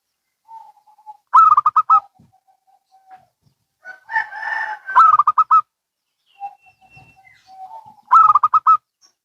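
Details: Local and Bangkok zebra doves answer each other with three loud bursts of quick, ringing coo notes spaced a few seconds apart. Soft low coos and a rough, noisy burst fall between them.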